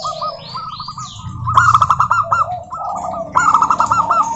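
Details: Local zebra doves in full song, played to lure other doves into singing: two loud phrases of fast, stammering coos ending in rolled notes, with softer cooing series and a few high whistles from another bird between them.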